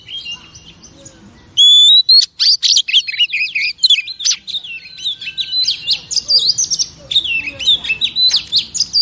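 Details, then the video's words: Female oriental magpie-robin song meant to excite male pet birds: after a soft opening, a bright rising whistle leads into a dense, continuous stream of sweet whistles, trills and chirps. "Chòe Than Mái Kích Trống Phê Tận Não"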